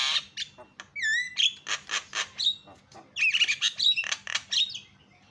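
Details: Javan myna calls meant to make other birds call: rasping squawks with a clear downslurred whistle, then a busy stretch of chattering whistled notes and harsh bursts, ending quieter.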